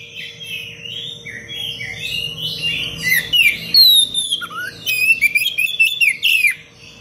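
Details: Oriental magpie-robin master song for teaching other birds, in the dense, sharp 'cengkok rapat pedas' style: varied slurred whistles building into rapid ringing trills and crisp chattering notes, then falling silent, with a faint hum throughout.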